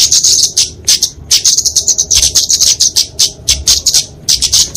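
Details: Fighting song of a kemade flowerpecker (Dicaeum), played to train and lure songbirds: sharp, very high buzzy notes given in quick pulsed bursts, about a dozen separate phrases across the stretch.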